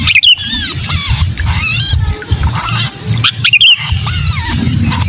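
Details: Trapped sooty-headed bulbul distress calls for luring bulbuls: raspy, rising-falling harmonic squeals in two clusters, sharp clicks at each, and a low background hum.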